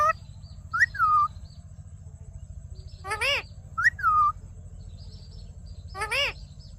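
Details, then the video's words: Pet ring-necked parakeet talking, giving a two-part whistle that jumps up and then glides down, twice, alternating with harsher vowel-like harmonic calls, a low hum underneath. "Amazing Parrot Video Talking"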